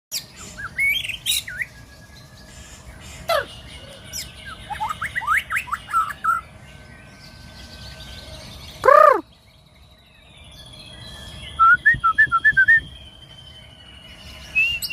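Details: White-rumped shama performing its ritual before rising into full song: scattered whistled notes and chirps, a loud down-slurred whistle midway, then a quick run of bright repeated notes, with a faint steady tone and low background rumble.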